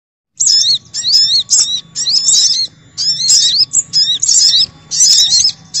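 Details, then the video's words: Little spiderhunter, noisy lure recording used to attract wild birds: bursts of sharp, high, twisting chattering notes, about one burst per second, separated by short silences. "Suara Pikat Burung Sogok Ontong Ribut"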